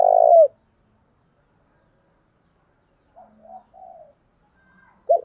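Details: Decoy spotted dove with a thổ-style voice, cooing very vigorously to provoke fights; a loud, low, hoarse coo at the start, soft broken cooing notes in the middle, and another sharp coo beginning at the end.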